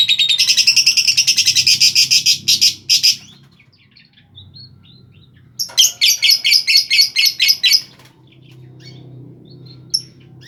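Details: Lovebird singing to trigger singing in other lovebirds: a long burst of rapid shrill chattering, a pause with soft squeaks, then another run of fast piercing notes.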